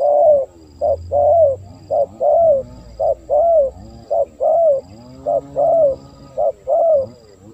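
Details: Spotted dove lure call for wild doves: steady repeated phrases, each a short coo followed by a longer descending coo, about one phrase per second, mellow and echoing.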